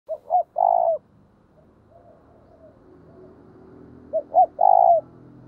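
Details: Spotted dove used as a lure bird, calling in the thúc and gáy gọi styles. Two cooing phrases about four seconds apart. Each has two short rising notes, then a long, steady, slightly wavering coo. Soft faint coos fill the gap between phrases.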